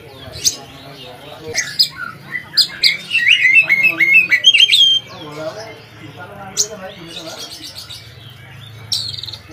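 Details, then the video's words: Oriental magpie-robin (kacer) singing vigorously, a recording used as a master to teach other kacer birds: high varied song of sharp whistles, buzzy notes and fast rising trills, densest midway, over a low steady hum and faint voices. "kacer gacor buat masteran kacer"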